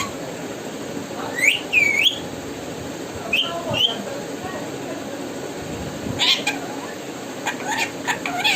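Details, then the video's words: Parrot saying "mitthu": two pairs of bright, whistled, arching syllables early on, then a scratchy burst and a few clipped calls near the end, with quiet room noise between. "cute parrot saying mitthu"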